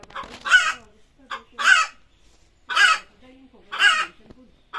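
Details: Chicken calling before laying eggs, loud raspy squawks about once a second, each a short harsh burst, with softer low clucking murmurs between them.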